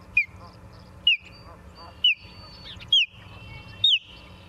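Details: Osprey at its Charlo, Montana nest on 28 September 2023, 17:45, captured by a live camera: five shrill whistles falling in pitch, roughly one per second, some trailing into a held tone, faint chatter beneath.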